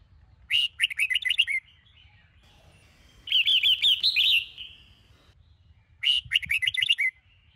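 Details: Morning song of a red-whiskered bulbul in the Sông Kôn style, recorded for song training: three lively phrases of fast, chattering, up-and-down whistles, the middle one buzzier and more rolling, roughly every two to three seconds, over a soft background hum.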